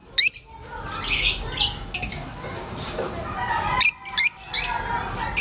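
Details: High-pitched, squawky lovebird chirps, a harsh burst near the start, then a quick cluster of three or four thin notes toward the end, with quieter chatter between.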